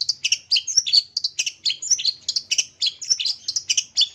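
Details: Long-tailed shrike song meant to stimulate silent caged birds: a fast, unbroken chatter of sharp chirps and short whistled notes, several per second, lively and high-pitched throughout.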